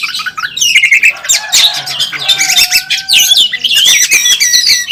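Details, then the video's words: Caged Oriental magpie-robin, a national first-place champion, singing fiercely on the contest track in fighting display: a loud, dense torrent of sharp whistles, rapid chips and buzzy notes, with a few steady whistled tones held through it. "Burung Kacer Tarung Ngobra ngotot saat di trek | kacer juara 1 nasional | Kacer gacor full isian"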